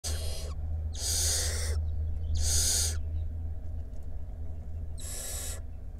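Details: Five barn owl chicks resting by day in a nest box, Israel, early May: loud, broad rasping hisses, each lasting about half a second, repeated at irregular intervals over a steady low hum.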